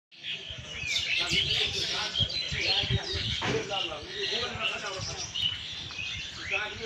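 High, quick chirps and tweets tumble over each other from several birds, with people talking underneath throughout.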